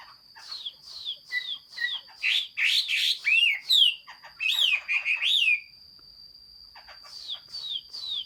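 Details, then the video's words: Chinese hwamei singing, recorded 15 June 2021: a rich, varied run of loud whistled notes, slurred up and down and repeated in quick phrases, then a pause and softer whistles, over a steady high electrical whine. "Chim hoa mi hot xuy. Singsong bird very beautiful"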